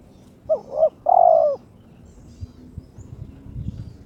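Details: A single coo phrase from a kept spotted dove (terkukur) in breeding condition calling out a rival: two brief rising notes, then a long smooth descending coo, followed by quiet low background noise.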